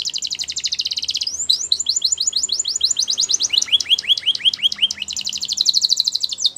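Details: Canary song for training young birds: fast trills of high, evenly spaced notes, then a run of downward-sweeping whistles, a lower series of slurred notes, and another rapid rattling trill to finish.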